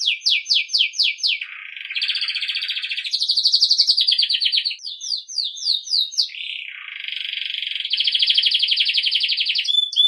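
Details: Belgian canary song for training young birds: a series of sharp descending whistles, then rapid buzzy trills changing pitch in steps, more downslurred whistles, and another long rattling trill.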